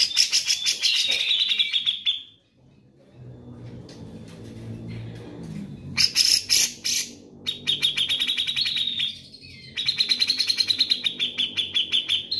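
Grey-cheeked bulbul giving bright, rapid chattering phrases of high twittering notes in repeated bursts.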